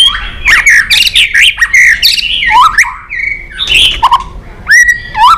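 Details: Stirred-up white-rumped shama in contest singing: tumbling slurred whistles rising and falling, a held steady note mid-way, then scattered clicks and falling whistled phrases.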